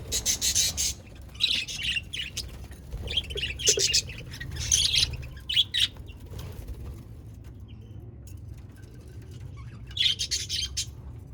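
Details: Pet budgerigars in Larkana, Sindh, chattering in scratchy bursts of high chirps and warbles, several flurries over the first six seconds, then a quiet gap and one more burst, over a steady low hum.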